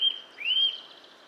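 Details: A Eurasian nuthatch in a yard in Joroinen, Finland, gives a brief clear whistle, then a single upslurred whistled note rising to a high steady pitch, against faint background hiss.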